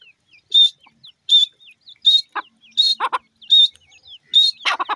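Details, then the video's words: Francolin chicks calling: loud, harsh, buzzy bursts repeated roughly every three-quarters of a second, mixed with short thin downslurred peeps and a few quicker rasping notes near the end. "teetar bird chicks,titer ki awaaz"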